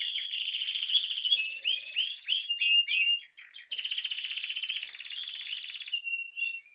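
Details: Caged brown and yellow canary with a leg ring delivering a long varied song: a rolling trill, a cluster of swooping chirps, a short pause, then an extended fast buzzy roll ending in a soft whistled note.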